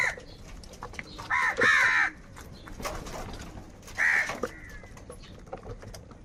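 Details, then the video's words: Crows squabbling over food, angry: a harsh, hoarse caw doubled near the start, then a single rasping caw a couple of seconds later, over low outdoor noise. "Kaka sound and noises of crow birds | Crow bird Fight for Food | Angry kauwa ki awaaz"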